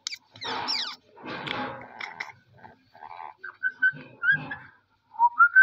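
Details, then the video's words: Pet parrot talking with its owner: raspy, speech-like chattered syllables in short bursts, followed by clear whistled notes, some rising and some held flat, with a final run of three quick whistles. "Parrot Talking with me"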